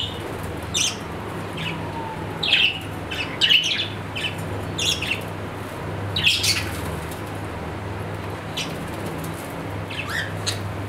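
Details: Budgerigar kept as a pet, calling in brief high chirps, some in quick pairs, with pauses between, against a constant low hum.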